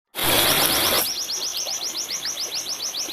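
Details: White-eye song used as bird therapy and tutoring material: a loud burst of broadband noise, then a fast run of high thin down-slurred notes at about four per second.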